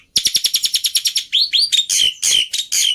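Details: Black-winged starling master song for luring and copying: a quick even series of sharp chirps, two upslurred whistles, then loud scratchy harsh notes.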